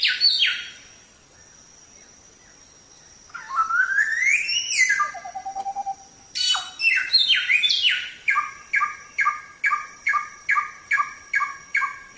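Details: Samyong in a songbird training recording: a short opening phrase and a pause, then rising warbled glides and squeaky notes, ending in a rapid, regular run of short whistled notes with a faint steady high tone behind.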